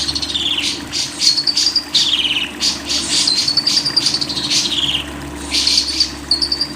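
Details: Lovebird chatter used as a training recording for songbird keepers: rapid bursts of harsh, high notes interleaved with thin whistled slides that rise and fall, delivered in quick runs with brief pauses, over a steady low hum.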